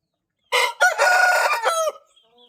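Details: Índio Gigante rooster crowing: one loud, harmonic-rich crow lasting about one and a half seconds, a short opening note, a brief gap, then a long sustained, slightly wavering tone ending abruptly, followed by near silence.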